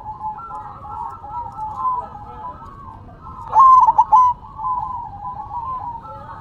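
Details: ['Zebra dove (perkutut) cooing while shaking its head side to side: one loud bubbly phrase of quick broken, rolling notes midway, over softer continuous cooing from other doves in the background.']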